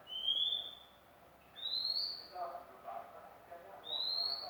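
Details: Magpie-robin giving three clear, slightly rising whistled notes, each about half a second long and roughly two seconds apart, over a low murmur of background noise.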